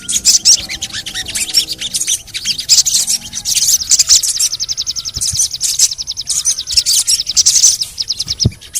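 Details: Sogon chirps open this stretch, then run into a fast, even trill of high ticking notes lasting several seconds. It is meant to prompt sogon birds into song. Faint lower tones drift in the background.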